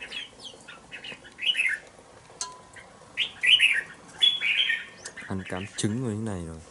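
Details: Young two-month-old red-whiskered bulbul in a bổi-type cage sings several short, slurred, chirpy phrases spaced about a second apart. A human voice speaks near the end.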